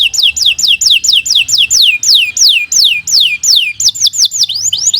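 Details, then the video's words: Canary singing steadily for use as master song for young birds: a continuous series of clear whistled notes, each sliding sharply downward, repeated roughly every third of a second. "Kicau Burung Kenari 149 II LUAR BIASA GACOR PANJANG Cocok untuk Masteran"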